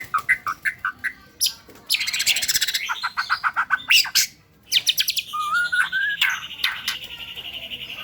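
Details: White-rumped shama in a varied, loud song with whistled notes, rapid buzzy trills, repeated chirps and a rising slurred whistle, with short pauses between phrases.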